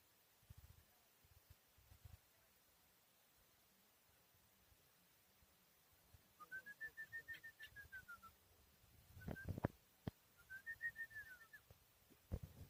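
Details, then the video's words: Chukar partridge, four years old, recorded in Tajikistan in 2021, gives two bouts of rapid, arched whistled notes that rise and then fall. Scattered low thumps and handling knocks sound between the bouts. "Горная Куропатка Кеклик в Таджикистане 2021 Partridge Keklik Sesi"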